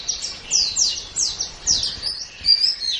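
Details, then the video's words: Short bout of white-eye song from a master recording for training kept birds: several bright, high, down-sweeping slurred notes delivered in quick pairs over light background noise. "Ocehan Suara Burung Pleci"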